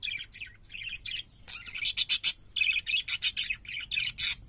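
Parakeets chatter in fast, high, scratchy warbles and chirps, with bursts of sharper squawky notes packed closely together.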